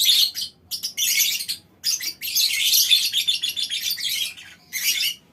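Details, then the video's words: Group of lovebirds in a small aviary chattering loudly: dense, raspy, high-pitched squawking runs lasting over a second, separated by short silences, ending with a single shrill burst. "Suara Lovebird Koloni Bikin Burung Lain Ikut Ngekek Panjang"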